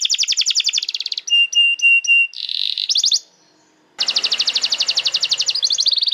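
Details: Canary master song for training young birds and coaxing quiet canaries: quick trilled rolls, a series of clear flat whistled notes, a brief pause, then a long fast rattling trill.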